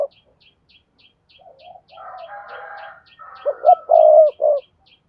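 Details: A lure recording of a spotted dove to prompt other doves to call: a soft murmur and a rough, drawn-out buzzy sound, then a loud low cooing phrase of rising and held notes, with steady clicking throughout.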